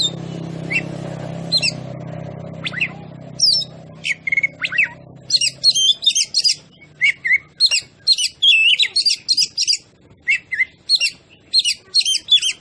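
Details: Oriental magpie-robin song played as a lure to provoke other birds: after a low hum in the opening seconds, rapid sharp whistled and chirping notes come in quick, irregular bursts.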